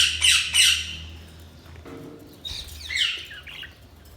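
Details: Budgerigars give two sharp, high chirps, go quiet briefly, then add a fresh cluster of squeaky, twittering notes.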